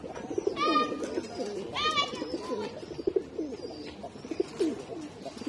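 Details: Khaki pigeon giving low, bubbling coos in uneven pulses, while a person speaks briefly in the background.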